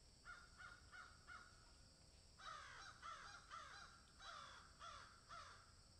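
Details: Crows in a field: three quick caws, a short gap, then a louder, faster string of harsh overlapping caws from more than one bird.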